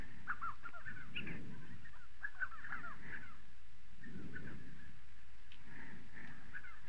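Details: Spotted sandgrouse in southern Morocco, clustered grating calls early on, then sparser notes fading under pulsing low wind-like rumble.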